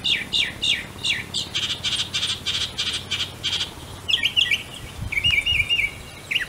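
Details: Northern mockingbird in an old dead pine tree delivering a loud varied song: rapid repeated buzzy downslurred notes, then a run of harsh chattering bursts, followed by whistled warbling phrases, each motif repeated several times.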